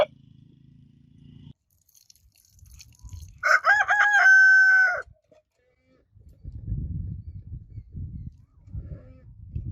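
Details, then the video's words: Single rooster crow, loud and clear, with wavering opening syllables leading into a long steady drawn-out note. Low hum comes before it, and scattered rustling and low noises come after. "Roosters Crowing Compilation |Roosters Crowing Sound Effect"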